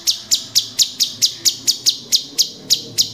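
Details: Cucak cungkok or Orange-bellied Leafbird, cage-kept and recorded as master song for training birds: a run of about thirteen sharp, evenly spaced high chips, roughly four per second.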